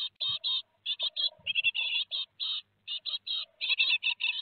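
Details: Two days before fledging, great tit nestlings at Théding on 15 July 2020 give rapid, crowded high chirps in clustered bursts with short gaps between them.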